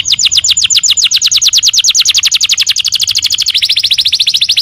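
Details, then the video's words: Training recording of canary song for other birds: a sustained, very fast trill of repeated downward-slurred high notes, shifting slightly lower in pitch near the end. "Masteran burung kenari"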